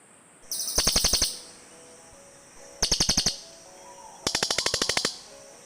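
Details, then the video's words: Cililin birds calling back and forth, used as a lure sound for birds in the forest: three bursts of rapid, harsh ticking notes, about eight per burst, each burst under a second with quiet gaps between. "SUARA BURUNG CILILIN"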